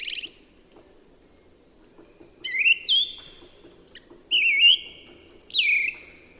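Song thrush singing clear, fluting phrases, some notes sliding downward and one short motif repeated in quick succession, over a faint low hum.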